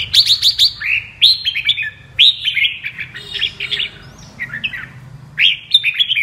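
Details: Caged red-whiskered bulbul of the apricot colour form, singing in the double-voice style: bright, fast whistled phrases that tumble downward in short bursts, separated by brief pauses.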